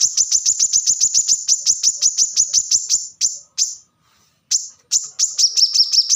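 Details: Plain-throated sunbird (kolibri kelapa), recorded as a training song for cage birds. High, sharp notes repeat quickly in a steady series, then a short pause, then a thinner high twitter.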